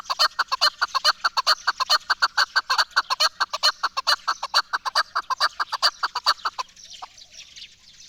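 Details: Rapid rhythmic chuk-chuk series from a chukar partridge, the national bird of Pakistan, pouring out evenly for over six seconds before breaking off into quiet, with one faint note after.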